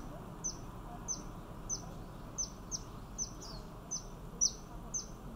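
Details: Yellow-bellied fairy-fantail in Thailand giving thin, very high, sharp descending notes, about nine of them, repeated roughly every half second over a soft low background hiss.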